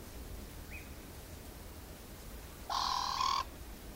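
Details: Lilac-breasted roller in Botswana gives a single loud, harsh, rasping squawk of under a second after a faint brief chirp, over a low steady background rumble.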